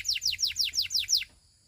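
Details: Short phrase from a Russian canary: seven clear downward-sliding whistles in even rhythm, about five per second, then silence.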